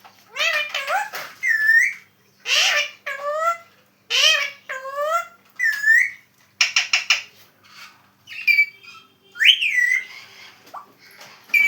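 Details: Chiku, a pet Alexandrine parakeet, talks in short, harsh, nasal word-like bursts such as "Mama too", with pauses between them, then gives rising whistled notes near the end.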